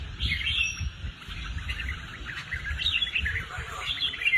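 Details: Red-whiskered bulbul, a caged songbird groomed for competition, delivering rapid warbling, chirpy phrases that come in repeated bursts, with a low background rumble.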